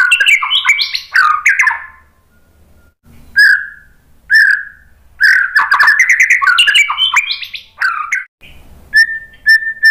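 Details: Lure song of a white-rumped shama meant to make other birds respond. It opens with a loud, tumbling medley of whistles and chirps, then short clear whistles, another varied burst, and steady repeated whistled notes at the end.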